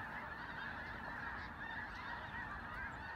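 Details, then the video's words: A throng of snow geese in Vigo County producing a continuous babble of high nasal honks, a few individual yelps standing out from the blended chorus. "Snow Geese in Vigo County"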